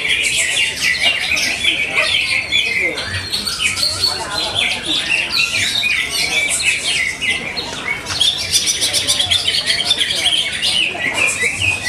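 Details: Greater green leafbird singing vigorously at a bird singing contest in Bekasi, Indonesia: a dense, continuous high warbling of rapid chirps, trills and whistled phrases, with other contest birds and crowd noise around.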